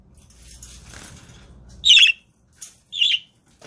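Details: Pet budgerigars on a live stream, with soft rustling at first and then two loud, scratchy squawks about a second apart.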